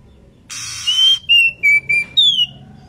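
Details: Female Oriental magpie-robin in breeding condition, calling its companion, gives a series of clear whistled notes stepping downward and a final higher falling whistle; a harsh hissing burst overlaps the opening note.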